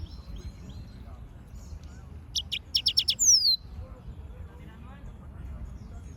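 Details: Yellow-fronted canary producing a short series of sharp, clicking high notes ending in a clear descending whistle, over quiet background twitter and low rumble.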